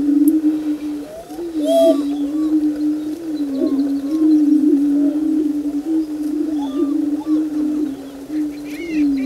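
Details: Greater prairie chicken booming on the lek before daylight during the courtship display: a continuous low, hollow, wavering hum of overlapping booms, with faint higher clucks and whistles scattered above.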